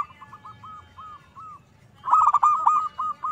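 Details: Zebra dove used as a song lure: a slow string of soft arched coos, then a sudden loud burst of rapid rolling coo notes that fades into quieter repeats.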